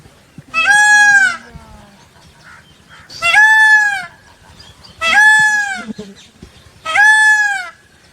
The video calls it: Peacock Sound Effect- Peacock Up and Close